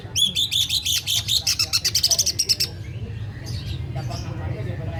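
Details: Greater green leafbird, a champion songbird from Karawaci, singing full 'ngetrok' at very loud volume; a fast, high, rattling trill of clipped chirps lasts over two seconds, then fades into softer scattered notes.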